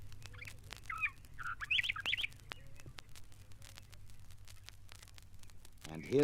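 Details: Greater swamp warbler, found among papyrus near East African lakes, gives a short burst of rich, slurred warbled notes over a low steady hum, followed at the end by a man's voice.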